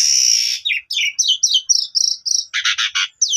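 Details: Asian pied starling played as a lure to get silent or reluctant birds singing again; bright whistled and chattering phrases, a long high note then rapid repeated slurred notes about four per second, ending in harsh buzzy bursts.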